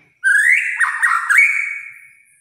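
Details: Kretekan song of a white-rumped shama, meant to rile other shamas: one long ringing whistle rising then holding steady, interrupted midway by a rapid warbling flourish before fading out.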